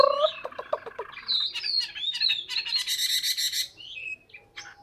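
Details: Hwamei song: a varied run of rich, slurred notes, starting with lower warbled phrases, then a dense burst of high, buzzy notes and a few short whistled notes at the end.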